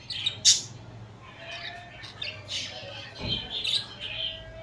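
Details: Pet budgerigars cuddling and squabbling, giving soft scratchy chirps and short squawks at intervals, with one sharp louder squawk near the start and warbling chatter toward the end.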